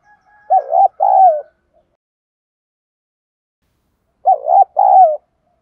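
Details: Coo song of a spotted dove, used to provoke decoy doves: two deep, mellow phrases, each a quick double coo then a drawn-out falling note, separated by about three seconds of silence.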